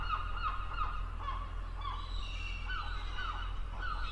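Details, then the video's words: Gulls crying in a chorus of bent, wailing harmonic notes, rising and falling, repeated several times, with steady low rumble beneath. "Le cri de la mouette et description 🦤 Bruit des mouettes, son d'une mouette🦤"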